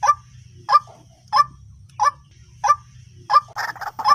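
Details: White-breasted waterhen call played as a lure: short, hoarse, mid-pitched notes repeated about every two-thirds of a second, six in a row, then quicker overlapping notes at the end, over a steady low hum.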